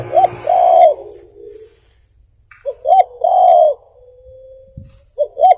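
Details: Spotted dove (tekukur) song meant for luring birds: two full phrases of a pair of brief coos leading into a long, steady coo, plus the start of a third.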